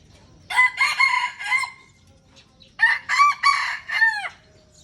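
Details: Red junglefowl from Aceh, an original wild-type bird in a crowing contest against an F1 hybrid: two harsh, ringing, multi-syllable crows, each about 1.3 seconds long with a falling final note, separated by a short pause over quiet background.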